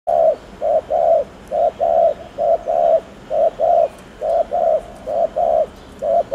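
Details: Spotted dove cooing, used to stimulate birds to coo quickly: low hollow coos in short and longer pairs, repeated steadily about once a second throughout, with faint background noise.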